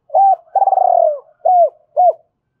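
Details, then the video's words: Spotted dove used as a decoy, cooing to lure other birds: a short hollow coo, a long quavering coo that trembles then slides down, and two more short, falling, rounded coos, clean with no background sound. "Tiếng chim cu gáy mồi gáy gọi hai hậu dùng kích bổi rất hiệu quả"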